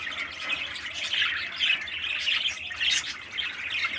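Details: A 13-day-old parakeet chick gives continuous raspy, squawking chirps, rising and falling in bursts about every half second.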